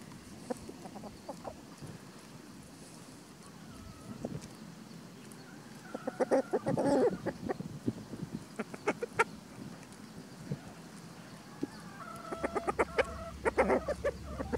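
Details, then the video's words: Free-ranging chickens with a white rooster guarding his hens while foraging in spring; scattered soft clucks and short calls, busier clucking bursts mid-way and near the end, with some tonal notes from other birds. "Chicken Sounds"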